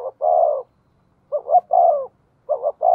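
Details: Spotted dove used as a decoy, 'giọng thổ' voice: a long mellow hoot, a short silence, then a stuttered double note and another long coo, followed by the phrase starting again.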